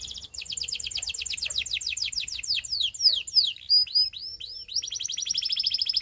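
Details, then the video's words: Belgian canary sings a fast high trill, shifts into varied swooping and slurred whistles, then returns to a rapid even trill. "Belgian Canary Tempts All Canaries to Sing!!!"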